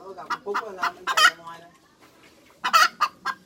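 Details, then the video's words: Hens cackling: loud, harsh, clipped notes in quick clusters of three to four, with a quieter stretch of soft, lower clucking in between. "Tiếng Gà Mái Chuẩn - Chicken Crows 100% , Hens Crowing"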